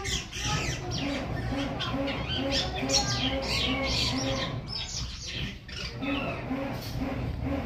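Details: Tutor recording of a silky starling singing for other birds to learn: rapid, scratchy high chirps and squeaky notes in a steady stream, over a rhythmic low pulsing sound and broad background noise.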